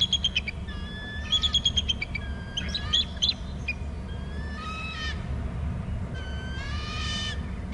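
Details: Screeching eagle at a nest on Hornby Island as the male arrives and the female leaves inland while he takes over the eggs: series of thin, stuttering, ringing high notes, some rapid chittering bursts, over steady wind rumble.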